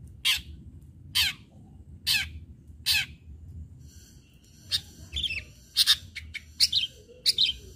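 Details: Long-tailed shrike singing as a lure for other shrikes: four harsh, loud, evenly spaced notes about one second apart, then a faster run of scratchy, chattering phrases.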